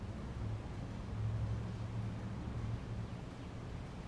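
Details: A steady low engine-like rumble with a humming drone throughout, and no animal voices.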